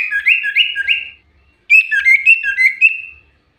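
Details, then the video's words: Lure song of a common iora: two fast phrases of short whistled notes, each rising slightly and swapping between two pitches about four times a second, with a brief silent gap between phrases. "Burung cipoh pancingan super gacor"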